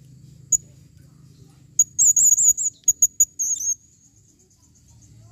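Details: Female blue-crowned hanging parrot calling, 2021: a lone high chip, then a long run of shrill, wavering, trilled notes and rapid ticks, fading into faint, thin high calls.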